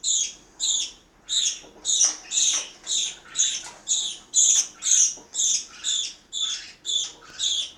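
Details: Household parakeets at mealtime in Itaim Paulista, São Paulo, Brazil: harsh, high squawks repeated about twice per second in a steady series of roughly sixteen calls.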